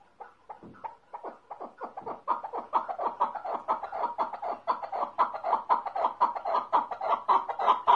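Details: Mountain partridge, or keklik, in Tajikistan: chukar clucks begin scattered and quicken into a loud, rhythmic chuk-chuk series that intensifies over eight seconds.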